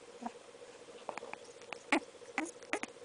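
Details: Congo African grey parrot kept indoors giving baby noises: a string of soft squeaky clicks and brief chirping pops at irregular intervals, a few slightly louder toward the end, over a faint steady room hum.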